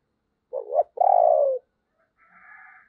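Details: ['Decoy spotted dove giving its coo to excite other doves: brief throaty note, pause, then a sustained descending coo, with a faint, higher, drawn-out sound trailing about a second later.']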